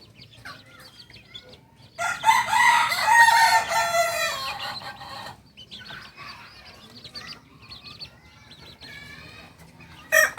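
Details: Young Kokok Balenggek rooster, two months old, from Solok in West Sumatra, Indonesia, gives one harsh, strained crow of about three seconds, wavering in pitch before fading, with quiet background noise.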